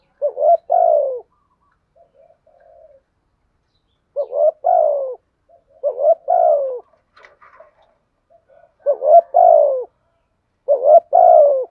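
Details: Decoy spotted dove calling repeatedly to attract wild doves: five similar phrases over about twelve seconds, each a wavering lead-in and a falling coo, with soft low notes and a faint higher chirp in the gaps.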